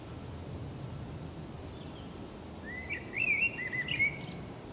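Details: Singing common blackbird, recorded 28 March 2019 on the Camino de Santiago in Zamudio: after quiet hiss, a rich warbled phrase of slurred, rising and falling whistles fills the last second and a half.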